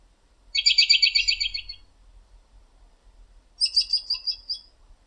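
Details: American robin sitting in a backyard tree late in the evening, calling to other robins nearby. There are two separate phrases of rapid, high, chattering notes, each about a second long. The second phrase is higher and thinner, and the background is quiet.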